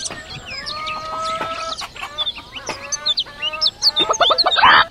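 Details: Chickens clucking and squawking in a busy farmyard, repeated sharp notes growing louder toward the end, with bird chirps mixed in.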